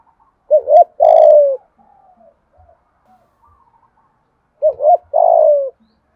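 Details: Spotted dove decoy bird calling to provoke wild doves; two loud cooing phrases about four seconds apart, each a short double note followed by a longer, hoarse, falling coo, with near silence between.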